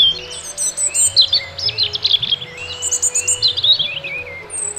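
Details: Birds singing and chirping outdoors: rapid high twittering and whistled phrases, sliding and trilled notes in quick bursts, overlapping voices, with a faint low hum beneath.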